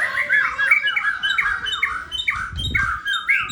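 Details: White-rumped shama from Sabang, Aceh, delivering a steady run of rich slurred whistles, each phrase rising and falling, repeated roughly every half second with a faint low thump midway.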